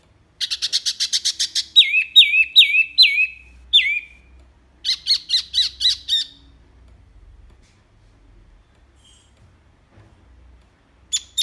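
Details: Wambi rapid-fire song, a clear recording for tutoring pet birds: a fast rattling burst of clicks, then repeated sharp downslurred whistles and buzzy chips, followed by silence and a short high note at the end.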